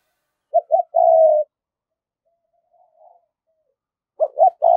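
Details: Decoy spotted dove, 'giọng thổ' voice style, giving urging and cooing calls to lure wild doves to the perch: two short hooked notes then a long, low, steady coo, twice, with a quiet gap between.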